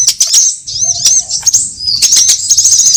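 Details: Lure sound of sunbirds for trapping: quick high ticks, a thin rising-and-falling whistle, then a stream of shrill rapid chirps.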